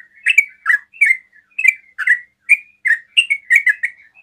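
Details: Fast song of a sooty-headed bulbul, sung to draw other bulbuls into answering: bright, slurred whistled notes about 2 to 3 per second, each dropping or rising, in a quick steady series.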